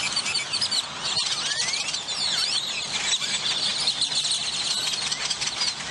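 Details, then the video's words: Many grackles gathered at a roost in McAllen, Texas, producing a constant high-pitched squealing chatter, pierced by several clear whistles that slide up and down, and a single sharp knock near the start. "Pleasant Grackle Sounds to Relax to"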